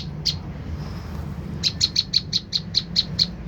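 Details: Lure call of an olive-backed tailorbird meant to make another bird answer: one isolated sharp chip, then a brisk evenly spaced series of about nine high, piercing notes against a faint low rumble.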